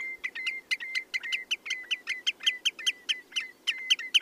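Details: Common redshank singing a steady series of brief, level whistles, each opened by a crisp click, about four notes per second with no pause, over faint low background hiss.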